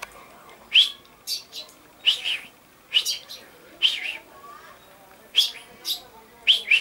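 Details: Common chaffinch, 22 August 2013, giving a run of sharp, clipped chirps roughly every second, some doubled, with a soft higher twitter between notes and a quiet outdoor background.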